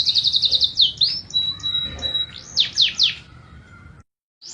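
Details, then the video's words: Canary song: rapid buzzy trills sliding downward, a sustained pure whistle, then looping chirps, a short pause and a fresh burst at the end. "تغريد مع جميع أنواع طيور الكناري"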